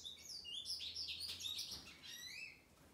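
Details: Released male American goldfinch, recovered from Mycoplasma infection after 21 days of medication, pours out quick high warbling twitters and rising slurred whistles, fading toward the end over a low hum.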